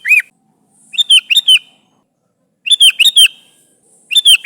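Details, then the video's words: Sooty-headed bulbul calling for its companions, used as a lure: a looping whistle then three bursts of quick, bright chirps, each of three or four notes, spaced over a second apart. "Suara Burung Kutilang Gacor Memanggil Temannya"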